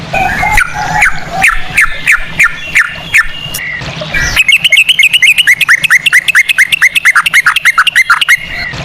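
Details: Sooty-headed bulbul singing a ropel with cucak rowo phrasing, meant as a lure: slower, spaced, falling whistled notes at first, then a quicker, denser series of bright, bouncing notes from the midpoint on.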